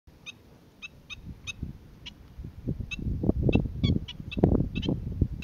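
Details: Black-winged stilt calling on Boa Vista, Cape Verde, in February 2020: short, sharp yelping notes in an irregular series, growing louder and denser toward the end, over a heavy low rumbling background.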